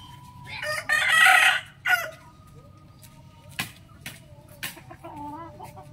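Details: Morning crow of a rooster, one loud, rasping, broadband cock-a-doodle-doo of about half a second, then a short harsh note, followed by faint clucks and distant small-bird whistles over low background hum.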